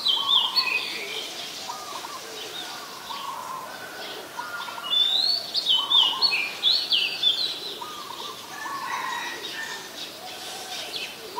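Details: Singing Oriental magpie-robin recorded with a Nikon P1000 at Ubon Ratchathani, Thailand, 14 October 2021. A rapid run of sharp, high whistled notes with quick pitch jumps, over steady, lower, repeated chirps from other birds.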